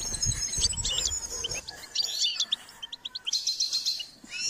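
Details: Goldfinch singing: scattered high chirps and short twittered phrases, then a denser burst of trilling at the end. Low noise is heard at the start.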